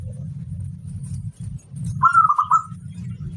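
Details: Local zebra dove from the wild stock giving a single slightly descending phrase of fast, trilled cooing notes, partly masked by constant low engine-like rumbling.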